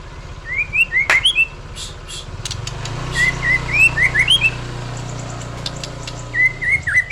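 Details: White-rumped shama singing actively: clear, rising whistled notes in quick clusters, repeated several times with short pauses, over a steady low hum and faint engine-like rumble.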